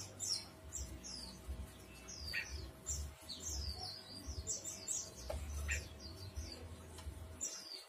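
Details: Ashy bulbul song: rapid high, thin notes, many slurred downward whistles and short chirps, delivered in busy runs with brief pauses, over a steady low hum throughout.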